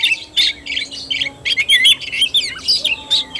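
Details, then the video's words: Oriental magpie-robin fighting-style phrases, harsher squawky notes mixed with whistled slurs in short separate bursts. "KACER TARUNG"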